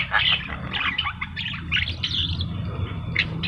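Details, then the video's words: Javan myna singing vigorously, a bright run of short chattering and whistled notes, some harsh and buzzy, delivered in quick bursts over a steady low rumble of background noise. "burung jalak kebo gacor"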